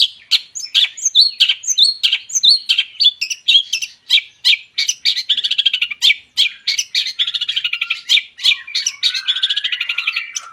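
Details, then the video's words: Long-tailed shrike song used as a lure to make other birds sing: a fast, dense run of harsh chattering and sharp chirps, packed tightly with a few brief pauses and a thinner twittering passage near the end. "CENDET GACOR COCOK UNTUK PANCINGAN"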